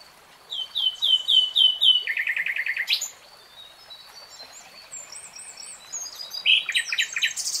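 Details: Common nightingale (Luscinia megarhynchos) song in forest: a run of repeated looping notes shifting into a fast buzzy rattle, a quiet pause with distant twittering, then renewed loud varied notes.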